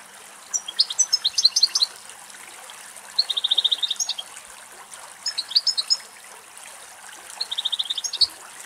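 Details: Wild European goldfinch somewhere in Greek nature, singing happily after finding plenty of food: short bursts of high, rapid tinkling trills and twittering notes, four phrases separated by brief pauses, with a faint steady background hiss.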